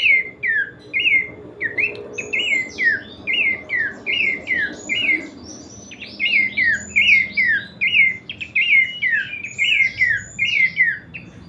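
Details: Kleperan song of a pelanduk semak, or Horsfield's babbler: steady series of short falling whistles, evenly spaced, briefly pausing mid-way, then resuming slightly faster, over quiet low rumble.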